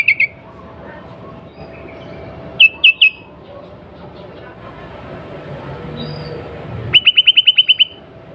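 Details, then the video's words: Female sooty-headed bulbul in breeding condition, calling to prompt males to sing: short high chirps, a pair of sharp descending notes, then a fast run of about eight clipped notes at the end over low background hum. "SUARA KUTILANG BETINA BIRAHI 100 % TERBUKTI BIKIN KUTILANG JANTAN CEPAT BUNYI GACOR"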